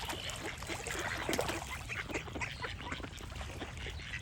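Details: Busy duck quacking with birds singing: short, nasal quacks tumble over one another without pause, and a brief louder call stands out near the middle.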